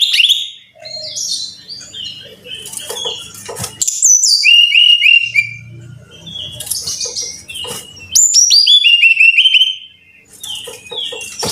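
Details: Brown-chested jungle flycatcher song used to coax caged birds into singing, with bursts of fast clear whistled notes alternating with scratchy buzzy passages and quieter spells; faint low background hum between phrases.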